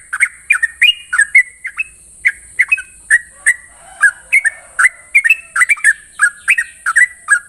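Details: Morning ropel song of a sooty-headed bulbul: a fast, nearly continuous chain of bubbly, slurred whistles, bright mid-pitched notes tumbling up and down, with a constant thin high hiss behind them.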